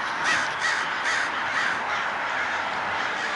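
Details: At daybreak a large flock of crows swarms and dives. Many birds caw at once, making a steady rasping din with several sharper, louder caws near the start.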